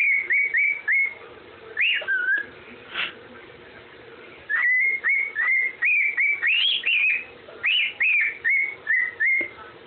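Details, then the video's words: Whistling parrot giving the Andy Griffin tune: bursts of short, clean whistled notes at a steady pitch, some swooping, separated by a pause of about two seconds, then a longer flowing run of repeated notes. Soft background hum. "Nacho whistling Andy Griffin tune"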